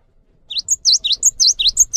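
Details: Cinereous tit song, played to prompt other cinereous tits to sing: after a half-second pause, a fast series of high whistled notes alternates with sharp downward-upward swoops, about eight notes in quick rhythm.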